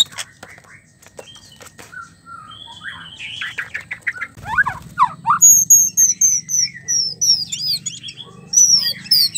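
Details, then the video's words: White-rumped shama mating sounds: lower warbled whistles and clicks, then a fast series of very high, sharply repeated down-slurred notes, about three or four a second. "MURAI BATU KAWIN BIKIN jantan ngamuk gacor seketika dgn suara murai batu kawin"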